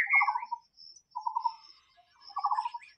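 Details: White-rumped shama in the wild giving three short, rattling pulsed phrases about a second apart, with brief whistled notes in between. A steady high thin tone continues in the background.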